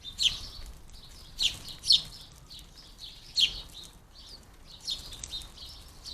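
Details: House sparrow fledglings being fed at a garden bird feeder: loud, bright chirps in bursts near 0.3, 1.4, 1.9, 3.4 and 5 seconds, with softer chirping between them.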